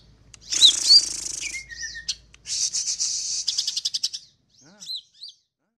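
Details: Greater green leafbird song with a loud scratchy high burst, a falling whistle, then a run of rapid buzzy pulses that quicken and break into a few sparse chirps before stopping.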